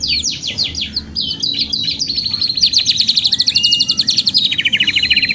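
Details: Canary singing at length, played to spur other birds to sing: quick rising notes, then a long even rolling trill, shifting into a lower pulsing trill near the end, bright and sustained.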